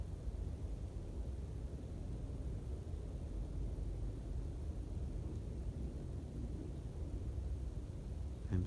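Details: Steady low rumble of wind or distant traffic, with no animal calls.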